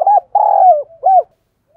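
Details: Spotted dove decoy in full voice, meant to draw wild males into calling: a short coo, a long descending sustained coo and a final curved note, all clear against silence.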